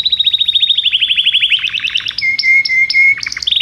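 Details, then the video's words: Belgian canary song used to get other canaries singing: a rapid descending rattle-like trill, then steady whistled notes alternating with higher chips, ending in quick rising notes. "canário belga cantando"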